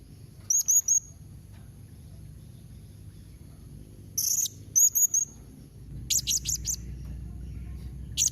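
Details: Calling blue-crowned hanging parrot, a sound meant to make other birds reply: thin, piercing high notes in short clusters of two or three, spaced by quiet gaps, later a faster run of four or five, over low rumble.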